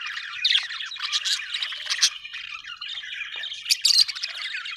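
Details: Several happy budgies, Australian birds, chatter in a thick mix of squeaky chirps and buzzy warbles, broken by sharp shrill squawks, especially near the end.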